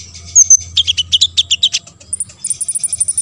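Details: A high sunbird phrase from an olive-backed sunbird, played to stir others to sing: two sharp squeaks, then a quick, even series of buzzy chips, then a faster run of thin, very high ticks.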